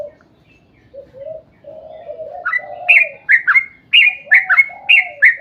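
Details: Yellow-vented bulbul in full song, long chattering style, played as a lure to draw others of its kind into singing: soft low cooing notes at first, then loud, quick bubbly phrases of sliding notes repeated in bursts roughly every half second.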